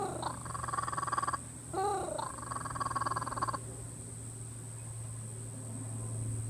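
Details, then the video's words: A curious kookaburra, apparently clearing his throat, gives two quiet, rapid rattling chuckles about a second long, broken by a brief throaty gurgle, over a steady electrical hum. "Kookaburra clearing his throat"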